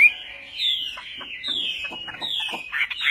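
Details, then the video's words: Chinese hwamei singing in the Vietnamese song style called Họa mi Tây: long, slurred whistles that fall from high to middle pitch, with fainter, blurred notes between them. The song sounds somewhat smeared and muffled. "HỌA MI TÂY - TIẾNG HÓT VIỆT"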